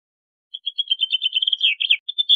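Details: Bluethroat singing a rapid, chattering run of high ringing notes that quickens into rolling, slurred phrases and ends on a loud sustained tone.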